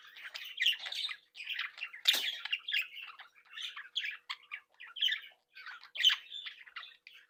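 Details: Happy, playful Australian budgerigars from a captive breeding group, talking, tweeting and singing together. Continuous bubbling warble of many short chirps and squeaks, with a few sharper squawks standing out.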